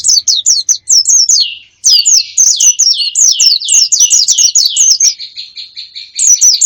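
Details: Wild-bird lure audio: a steady stream of high, sharp chirps, each sliding downward, delivered in quick rhythmic series almost without pause, ending in a buzzy level trill.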